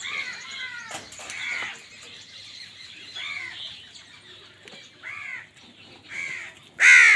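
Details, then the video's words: Amid a fight over food, crows give spaced, hoarse caws about every second or two, fairly quiet until one very loud, close caw at the end. "কাকের ডাক Crow Sound Crow ki Awaz Loudly | Crow bird Fight for Food"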